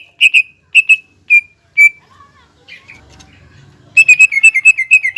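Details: Greater green leafbird singing to provoke rival leafbirds: a few spaced, clear whistled notes, a quiet stretch with faint low rustling, then a fast burst of loud, rolling whistles.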